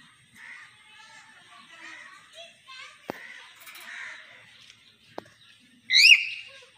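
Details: Common hill myna: a stretch of soft, low speech-like babbling and a couple of sharp clicks, ending in one loud bright whistle that rises and then drops.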